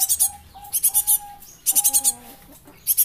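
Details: Young Java sparrow used as a lure, giving short bursts of three to five rapid, very high chipping notes separated by pauses, with a steady low whistled tone running beneath.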